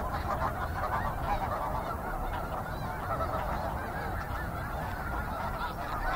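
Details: Massed snow goose flock calling, a blurred, constant wall of distant honking with few individual notes distinct, plus low rumbling underneath.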